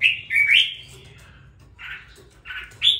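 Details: Caged red-whiskered bulbul, kept two weeks after purchase and now starting to sing with some fire; a bright whistled phrase gliding down then up, a pause, then two short burry notes, no other sounds.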